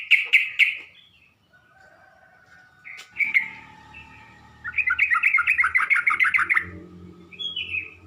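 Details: Lure recording of a sooty-headed bulbul for provoking other bulbuls: a few sharp bubbly notes, a soft lull, then a rapid rattling run of chattering notes lasting about two seconds, ending with a lone higher note.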